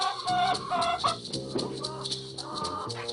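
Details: Domestic backyard laying hens mutter and cluck in low, grumbling bursts, about two a second, as they squabble over pecking order, one hen trying to push another off her rank; background music plays underneath.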